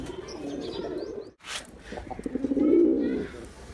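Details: Male pigeon: a low rolling coo at the start, a short silence, then a louder throbbing coo rising to a peak before fading.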